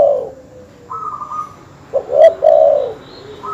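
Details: Dove, terkukur or perkutut, calling to stir up rivals: a brief low coo, a flat higher tone, then one loud, rounded coo burst with a click near the end.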